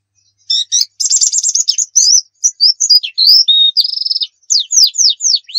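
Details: White-eye 'nembak' song for luring birds to sing: varied high phrases mixing buzzy trills, short slurred whistles, a steady rattling trill and a closing series of quick falling notes, quiet background.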